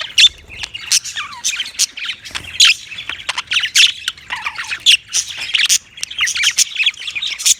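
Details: Lively budgie chatter with loud, abrupt squawks and chirps, a few sliding whistled notes dropping in pitch, and short quieter gaps between bursts.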